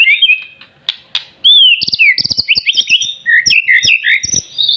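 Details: White-rumped shama, a captive bird not yet fully adult in plumage but already singing, gives a rapid run of varied whistled phrases and sharp chips, swooping notes between about two and five thousand, tumbling quickly from one note to the next.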